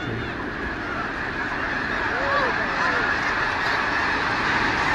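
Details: Huge flock of sandhill cranes during a sudden mass flyoff at Bosque del Apache National Wildlife Refuge, New Mexico, in November at the Festival of the Cranes; a dense roar of overlapping rolling calls, with a few clearer bugling notes.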